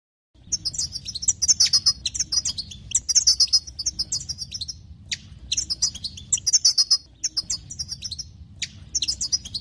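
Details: European goldfinch song for exciting other goldfinches; after a short silence, lively high tinkling twitters and trills arrive in bursts separated by brief gaps and sharp clicks, over a low steady hum.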